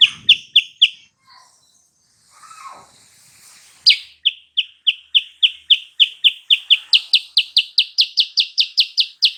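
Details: Sooty-headed bulbul song used as a lure to provoke a rival bird into answering: bright, sharp chirps repeated in short runs, a pause with softer notes, then a long steady series of about twenty-five ringing chirps, several each second.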